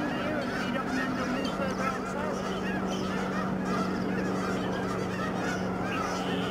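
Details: Snow geese in huge flocks in flight over the Fraser River estuary at Delta, British Columbia, Canada, 24 March 2011: a steady wall of many honking voices, with individual yelping notes rising and falling within the din.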